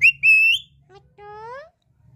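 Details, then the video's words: Pet talking parrot, or tota, produces loud clear tonal phrases rich in overtones: two sustained whistled sounds, then a longer upward-sliding note, with a person repeating the bird's name nearby. "Talking parrot video || Parrot video || Bolta hua Tota"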